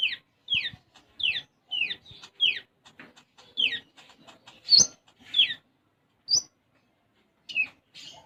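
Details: Gacor konin, or olive-backed sunbird, delivering sparrow-style isian gereja. A fast run of sharp downslurred chirps at even spacing, then scattered higher chips and softer ticking notes.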